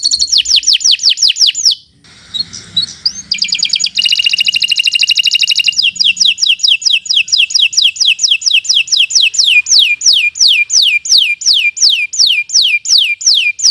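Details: Kenari Nusantara canary with a long, nonstop song: falling whistled notes, a short gap, a harsh rattling trill, then a long even series of downslurred whistles about once every 0.7 seconds.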